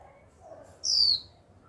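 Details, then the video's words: Young female Japanese white-eye's 'chíu' call, given to trigger male song: a single brief, very high, thin whistle that glides downward, against soft low background noise. "Khuyên mái tơ chíu liên tục kích bổi líu ngay!"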